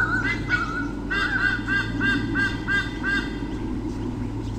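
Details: White-bellied sea eagle pair on nest cam at Sydney Olympic Park, Australia, 2013, defending their territory from swooping currawongs: loud goose-like honking series of about eight nasal notes, roughly three per second, over steady wind rumble.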